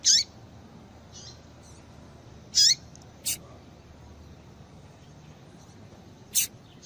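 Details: A female yellow-bellied seedeater calling to stimulate males. Sharp, high chips with a downward flick are widely spaced, with thin burst-like notes and soft buzzes between them over low background hiss.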